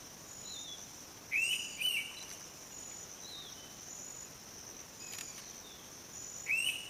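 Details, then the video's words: Indian pitta (Pitta brachyura) near Rajaji National Park, Uttarakhand, India, giving a loud, clear two-note whistle, notes half a second apart, repeated about five seconds later over a steady high insect drone. "Indian Pitta || Thank you bird"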